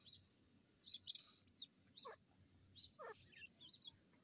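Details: Grey francolin chicks fighting: high, thin chirps repeated in short, uneven bouts, mixed with a few falling, rasping notes that drop steeply in pitch.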